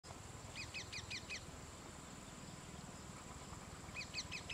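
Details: Rose-ringed parakeet, a mother eating and feeding her two chicks: two short bursts of about five harsh, rasping notes, one early and one near the end, over a steady low rumble and faint high hiss.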